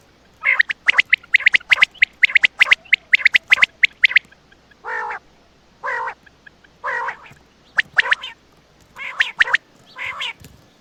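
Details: A quail at night in Attock gives sharp, clipped calls in quick bursts, then slower, harsher nasal notes spaced about a second apart.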